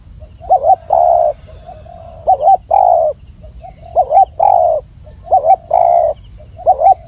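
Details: Spotted dove (tekukur) song: soft lead-in notes, a wobbling double coo and a drawn-out steady coo, repeated roughly every one and a half seconds, low-pitched and clear over a faint constant high hiss.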